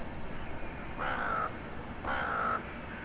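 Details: Crow resident in a town centre calls at evening, January 2021, communicating with crows coming in for the night: two loud, hoarse caws, each about half a second long, one second apart over faint city hum.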